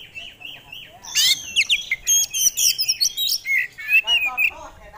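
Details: Oriental magpie-robin (kacer), a caged contest songbird, delivering a jumbled phrase of high sharp notes and buzzy whistles, steadily repeated, with softer warbling at the start and finish.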